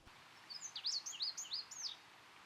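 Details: On a mostly deciduous mountain ski slope of beech, birch and aspen in New Hampshire's White Mountains, an Indigo Bunting sings a quick, high run of sweet, paired phrases, some rising and some falling, over about a second and a half against a quiet background.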